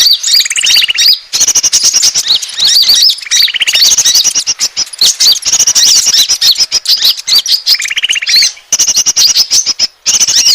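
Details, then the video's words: Lure sound of Asian glossy starling used to draw in birds: nonstop shrill chirping and squeaky slurred whistles, with three short rapid rattled trills spaced through the sequence and a couple of brief pauses. "suara pikat burung konin ampuh"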